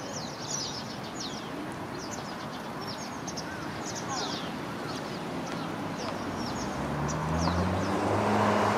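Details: A flock of Japanese Pied Wagtails (White Wagtail, Motacilla alba lugens), males and females, arriving in late autumn to roost in evergreen bamboo-leaf oaks at a commercial parking area, give many high, sharp overlapping chirps over traffic rumble swelling near the end.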